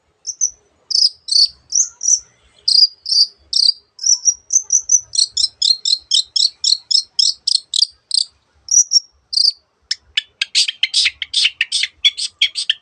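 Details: Energetic Long-tailed shrike song full of varied borrowed bird sounds: high twittering notes repeated in quick, even series, speeding into a fast rattle of buzzy harsh notes near the end, with no other noise.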